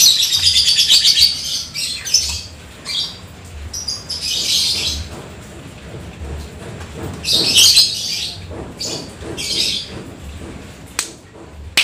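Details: Lovebird singing after rain, with a long continuous 'ekek panjang' trill: a sustained shrill rapid chatter at the start, then broken bursts of high squeaky twittering with short quieter spells and a sharp click near the end.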